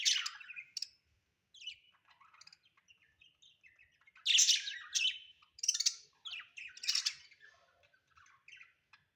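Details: Domestic budgerigars chirp and warble continuously: high scratchy twitters rise into several loud buzzy bursts in the second half, with quieter chattering notes scattered between them.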